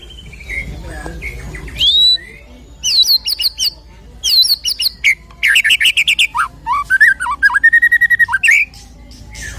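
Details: White-rumped shama, fighter type, singing a varied song to provoke a shama: rising whistles, fast repeated sharp note series, rattling trills and a sustained warbled phrase, lively and continuous.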